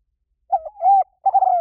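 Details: Spotted dove lure call, used to draw birds in: three low, mellow coos, the middle one long and even, the last a rolling, slightly quavering coo that falls away. No other sounds.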